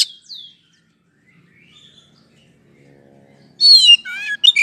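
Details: Oriental magpie-robin song played to provoke a sluggish bird into quick response: a few descending whistles, a near-silent gap, then a loud burst of wavering, slurred whistles and sharp notes.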